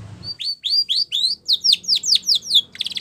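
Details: Spanish Timbrado canary training song starting with a few rising whistled notes, then about seven steady downslurred notes, ending in a fast buzzy rattle.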